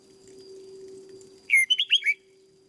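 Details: A single brisk phrase from a caged red-whiskered bulbul, a decoy bird in training: after a quiet stretch with a low hum, five bright slurred whistled notes tumble out in about half a second.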